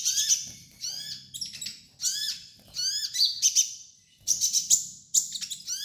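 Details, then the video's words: Sunbird song for training young birds: lively high chirps and thin descending slurs run together in quick phrases, several sharp accented notes, faint low background noise. "MASTERAN KOLIBRI NINJA DAN TERAPI KONIN BAHAN"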